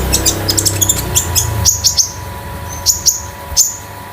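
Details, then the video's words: Konin, a caged bird kept at home, singing a metallic, loose, spotted tutor and lure song. High, sharp chirps and short rising notes come in a quick burst, then spaced clear whistles. A low hum and some music run underneath. "KONIN DAMER METALIK LEPAS TROTOL || BURUNG MASTERAN || PANCINGAN OMBYOKAN KONIN"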